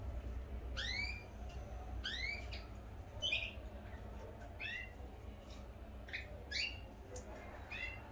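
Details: Domestic canaries kept by their owner, with pairs due to be separated: quiet rising chirp notes in small clusters about once a second, softer than the background hum and room noise.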